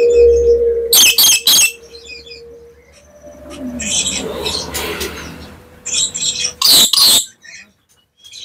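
Black lory giving harsh, grating screeches in short bursts, with squeaky chattering notes between them and a steady low hum behind.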